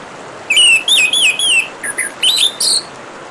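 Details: Orange-headed thrush song against a constant hiss of running water: several quick whistled phrases that swoop up and down, broken by short gaps, then a higher, brighter closing note.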